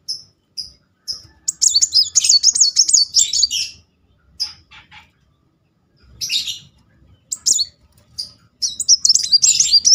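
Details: Muncang sunbird song meant to trigger singing: three spaced high chirps, a dense run of fast, high twittering, then scattered bursts and a final rapid trill.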